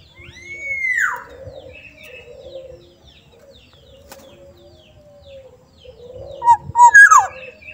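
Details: Black-naped oriole from Sumbawa gives a soft, fluty whistle that swoops up and falls away, then a louder burst of liquid notes near the end after a quiet gap.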